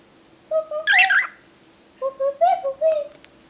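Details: Talkative cockatiel giving short speech-like chattering phrases, mid-pitched harmonic syllables in two bursts, one near the start and a second group of wavering notes about a second later.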